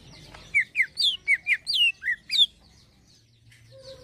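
Greater green leafbird singing a quick run of about nine clear, high whistled notes in two seconds, each slurring down or up, over a low background hum.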